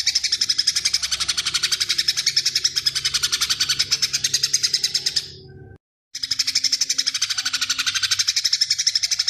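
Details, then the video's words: Greater green leafbird in full song, pouring out fast, high, sparrow-like chirps, about four notes a second, with a brief break midway. "CUCAK IJO FULL TEMBAKAN | ISIAN GEREJA PANJANG"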